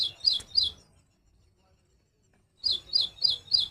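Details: Little woodstar: three high, slightly buzzy chips, a pause of nearly two seconds, then four more evenly spaced chips.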